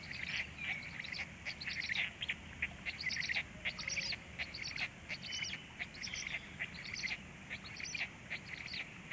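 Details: Black stork chicks being fed at 19:13; a stream of high, thin chirps and wheezy squeaks in short bursts, several overlapping, over a low steady background hum.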